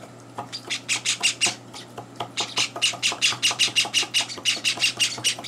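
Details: Young Java sparrow chicks begging during breakfast, third day in a home, with older birds crashing the feeding; fast rasping high chirps in two runs, the second long and steady at about three per second, with soft clicks.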